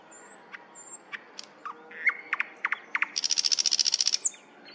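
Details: Thrush nightingale song in Põhja-Tallinn, Tallinn, Estonia: scattered clicks and short whistled notes that build into a fast, dry rattle of about fourteen high notes in one second.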